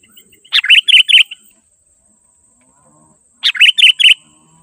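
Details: Sooty-headed bulbul song meant to attract wild birds: a sharp opening note followed by three or four bubbly chirped notes, the phrase repeated after a gap of nearly three seconds.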